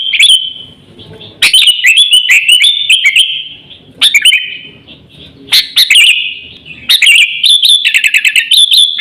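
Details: Sooty-headed bulbul used as a lure and tutor for pet birds: a lone whistle, then several energetic bursts of tumbling, slightly descending whistled notes separated by brief pauses.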